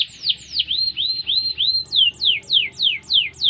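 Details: Canary singing a training song: a few high descending sweeps, a series of arched rising whistles, then clear downward-sweeping notes repeated roughly three times a second.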